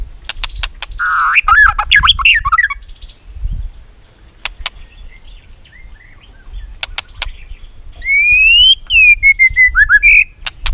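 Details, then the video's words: White-rumped shama in competitive singing: a twisting warbled phrase early, scattered sharp clicks, then a long clear whistle rising and sliding down into short notes after a quiet gap. "chòe lửa tạch liên tục đập đuôi dùng kích chòe lửa lên lửa hót đấu"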